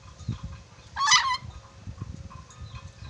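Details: Red-breasted parakeet from Sulawesi, said to whistle well and know many whistles, lets out one loud, grating, broadband squawk lasting under half a second amid low rumbling noise and soft distant chirps.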